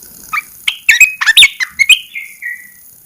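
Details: Caged red-eyed bulbul singing after 14 days of cage-cover therapy, just after the cover is first lifted: a quick, jerky burst of bubbly, warbled notes, ending in a short falling whistle.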